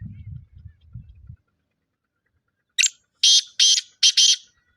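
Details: Black francolin calling on the evening of 21 February 2025, around 6:15 pm: after a low rumbling at the start, a quick series of four or five harsh, grating, broadband notes, loud and closely spaced.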